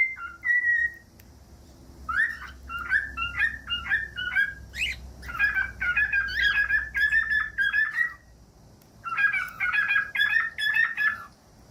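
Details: A cockatiel song for teaching cockatiels to sing: an opening clear whistle, then busy runs of chattering, warbled whistles in two long phrases, over a low hum.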